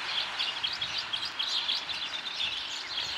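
Red Crossbills in a busy flock, giving overlapping sharp, high chips and chattering notes in a continuous stream, over a soft background hiss.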